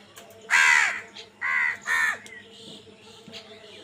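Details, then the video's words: Crows fighting over food: three loud, harsh caws, the first longest, then two shorter ones about half a second apart, with faint chirping behind. "কাকের ডাক Crow Sound Crow ki Awaz Loudly | Crow bird Fight for Food"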